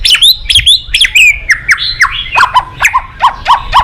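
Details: White-rumped shama, much sought by bird-song fans, giving rapid, repeated sharp notes that step down in pitch, about three per second, bright and ringing.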